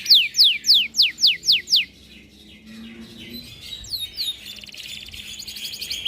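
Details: Kenari canary song in the luxurious cengkok mewah style, opening with six loud, evenly spaced descending whistled sweeps about three per second, then trailing into softer high twittering.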